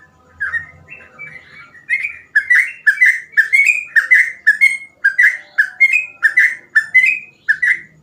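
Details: Sooty-headed bulbul in lively, non-stop 'gacor ropel' song, offered as an easy-to-copy tutor for untrained birds: a rapid run of short, bright whistled phrases that rise and fall, about two per second, with faint low rustling at the start.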